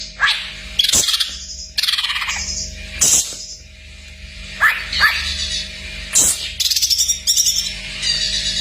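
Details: Greater green leafbird (cak ijo) in a masteran full isian song: sharp rising whistled upsweeps alternate with buzzy, rattling high phrases and stuttered notes in quick, irregular bursts, over a steady low electrical hum.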